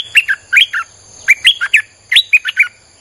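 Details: Three lively bursts of quick, liquid chirps from a streak-eared bulbul in near-continuous song, recorded to lure wild birds, with thin steady tonal background noise.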